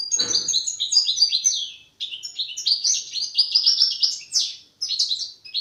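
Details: Young European goldfinch in the song-forming stage, practising its song: a rapid, jumbled stream of high twittering notes, buzzy trills and sharp chirps with brief pauses, plus a soft rustle at the start.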